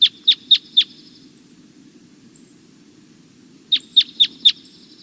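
Red Crossbill giving two bursts of four sharp, slightly ringing, downslurred kip notes, about four per second, with a steady low hum underneath.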